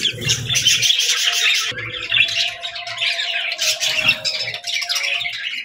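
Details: Cute birds chirping in a relaxing recording: rapid, overlapping warbles and chirps in bursts, a short gap near two seconds, then more chattering, with a faint low hum and soft thuds underneath.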